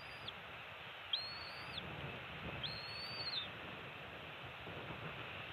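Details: Bald eaglets, hatched mid-December and now two weeks old, at a Florida island nest during a morning parent swap and fish feeding. A short note is followed by two drawn-out, high, thin whistles that rise and fall, against constant background hiss.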